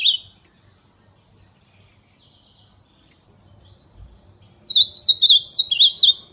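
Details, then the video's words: Fibra-style song from an ultramarine grosbeak outdoors: a brief whistle at the outset, a long quiet stretch, then one lively warbling phrase of sliding, repeated whistled notes near the end. "AZULÃO CANTO FIBRA CHAMANDO E CANTANDO NA NATUREZA"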